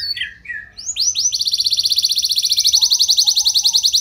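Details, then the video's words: Lure song of a gacor canary, meant to trigger responses from other canaries. A few slurred notes lead into a sustained, very fast, high-pitched rattling trill. "Burung Kenari Kondisi Apa Saja Bisa langsung Respon Dengan Pancingan Kenari Gacor Satu Ini"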